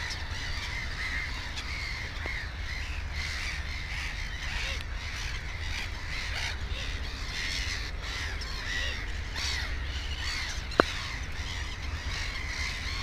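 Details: Overlapping harsh cries of many black-headed gulls near a nest holding two chicks, recorded 15 May 2016. Calls follow one another almost without pause over a low rumble, with a few sharp clicks.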